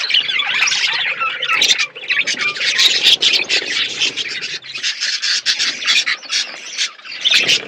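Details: Many budgerigars chirp while eating food, a loud, dense, continuous chatter of high squawky notes with brief dips, and a faint low hum underneath.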